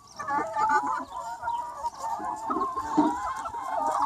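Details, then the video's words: Roughly 200 free-range chickens on a sunny spring day, many birds clucking and giving long wavering calls at once, forming a continuous, busy chorus with short low clucks underneath. "Chicken Sounds 1 Hour - Chicken Sound Effect"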